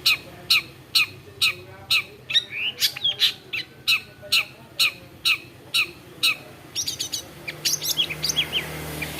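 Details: Long-tailed shrike, a bird able to imitate many other birds' voices, giving sharp high notes repeated about twice a second for six seconds, then a quicker jumble of varied chirps and short whistles.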